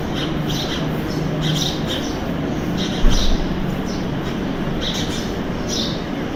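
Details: House sparrows (Passer domesticus) fighting, giving aggressive sharp chirps in quick clusters of about two or three bursts a second, over a steady low rumble of traffic.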